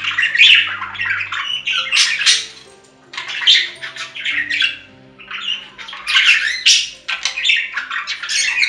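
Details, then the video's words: Budgerigar chatter meant to keep a lonely pet bird company: rapid warbling, grating squawks and chirps in clustered phrases roughly a second long, separated by brief gaps, heard in a small room. "Budgie Sounds for Lonely Budgies"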